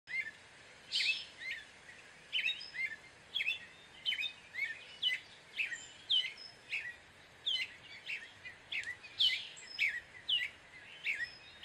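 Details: Gray catbird singing a long, varied jumble of short chirpy, squeaky and slurred phrases, each phrase different, delivered almost nonstop with brief gaps, over a steady background hiss.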